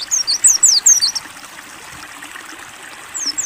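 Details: High, bright Mountain white-eye notes of the ngalas open-beak style, a rapid run of slurred downward whistles for about a second, then quiet with only flowing water trickling until two more faint notes at the end.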